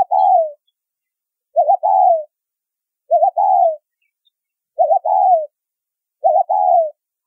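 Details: Spotted dove giving its low-toned 'thúc rút bổi' call, used in bird trapping: a short two-note stutter and then a longer falling coo, repeated five times at about 1.5-second gaps against a silent background.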